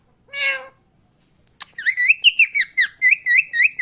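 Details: Parrot giving one drawn-out, nasal, meow-like note, then after a pause a steady run of quick, bright chirps, roughly two per second, each with a small upward flick.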